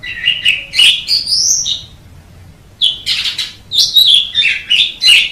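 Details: Asian pied starling sings in two bursts of squeaky whistles and harsh chatter separated by a short quiet gap, with low background hum.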